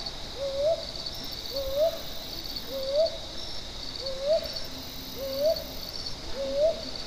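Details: At Buxa, Alipurduar, India, a Brown hawk-owl gives soft, rising two-part hoots, one about every second, over a steady high insect drone.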